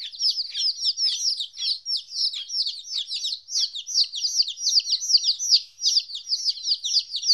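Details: Domestic chicks, fourteen days old, separated from their mother for the first time: a dense, continuous chorus of high, sharp chirps from several birds, overlapping downward-sweeping peeps repeated rapidly and unevenly, with no other sounds.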